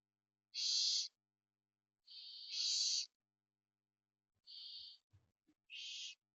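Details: Barn owl in Spain during parental care: four harsh, hissing screeches in a quiet night, each about half a second long, separated by pauses of one to two seconds, with a few faint low thumps between them.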